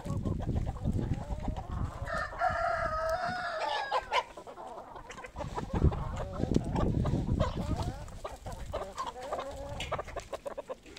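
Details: Poultry at feeding time, a happy moment for the flock; a long harmonic crow-like call around the second to fourth seconds over dense clucking, with more drawn-out calls later amid low rumbling and shuffling noise.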